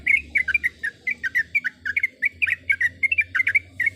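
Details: Sooty-headed bulbul, a female calling a male in breeding condition: lively liquid chirps packed in quick pairs and triplets, repeated without pause over four seconds, with a light background hum.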